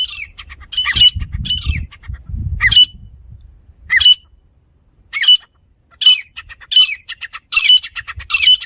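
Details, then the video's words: Grey francolin in a village setting giving loud, harsh, squawking notes in short bursts, spaced irregularly at first and then coming faster and more regularly toward the end, with low rumbling background noise during the first three seconds. "gery francolin teetar ki zabardasth sound"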